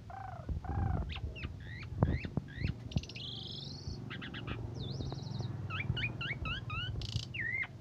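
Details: Varied song of an Asian pied starling, recorded morning and evening as tutor material to excite other songbirds; loud arched whistles, upslurred and hooked notes, a long wavering buzz, rapid trilled phrases, with low background rumble and knocks.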